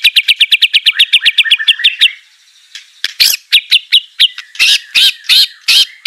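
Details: White-rumped shama song for training a quiet bird to sing: a rapid run of about twenty bright repeated chips, a brief lull, then loud varied whistles and harsh bursts.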